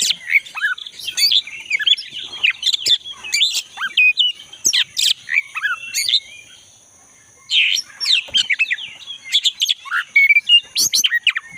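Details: Wild black-breasted magpie-robin heard in the forest, singing energetically, meant to encourage a caged magpie-robin that no longer sings. Rich, varied chirps and high trills break into a short pause, then resume, over a steady high hum.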